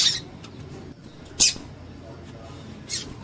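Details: Female double-collared seedeater giving calls to get a male singing: three short, bright, high-pitched chips about one and a half seconds apart over soft background noise.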